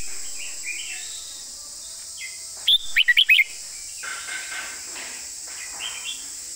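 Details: Red-whiskered bulbul sings a clearly phrased master-pattern song, a tight burst of five bright, bubbling whistles, over a steady high hiss and quieter chirps of other birds.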